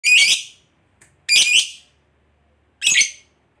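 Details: Lovebird, a kept bird, giving three short harsh screechy chirps spaced over a second apart, with silence in between and no other sounds.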